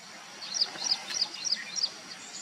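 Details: Vernal hanging parrots, small parrots feeding on pearl millet, recorded in August; five short, high, thin squeaky notes given in a steady run about a third of a second apart over a soft background hiss.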